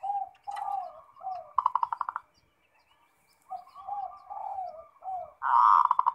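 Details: Zebra dove in full 'ngerot' song, used as a lure to stir other doves into replying: soft rolling coos interspersed with rapid trilled bursts, a short pause, then more coos ending in a loud fast trill.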